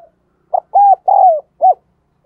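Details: Spotted dove decoy bird cooing to spur other doves to call: four loud, clean coo notes, the middle two longer and gently falling, in a quiet setting.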